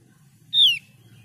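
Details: Javan grey-throated white-eye (opior jawa) uttering a single clear, high whistled note that slides downward, over a low steady hum.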